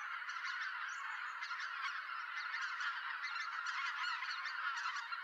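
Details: Greater White-fronted Geese at a November roost in Japan, calling noisily on arrival as harriers also head to roost; close, loud, dense chorus of rapid overlapping honks and yelps from a big flock.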